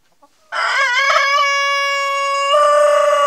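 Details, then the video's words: Crowing of a Denizli rooster, with rooster and hen mating: brief faint clucks, then a loud crow bursts in with a wavering, throaty opening and settles into a long sustained, even note that swells slightly louder toward the close. "denizli horozu otusu"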